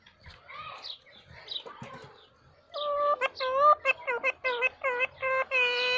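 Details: Parrot talking: soft mumbled, speech-like chatter at first, then a loud run of about ten clipped, harmonic, voice-like syllables in quick succession, ending in a longer held note.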